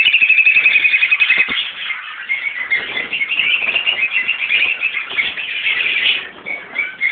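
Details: Captive colony of Fischer's and Peach-faced Lovebirds, adults and young mixed: rapid rhythmic squeaky calls at the start, then continuous high overlapping chatter and sharp chirps from the flock.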